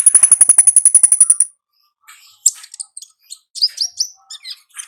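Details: Olive-backed sunbird in the wild, ngalas style: a fast, regular buzzy trill for about one and a half seconds, then a jumble of high chirps and downslurred whistles.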